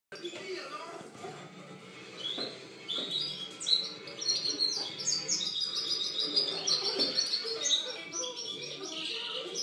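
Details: European goldfinch song recorded in 2013: a busy, tinkling stream of high twittering notes and chirps over a noisy background.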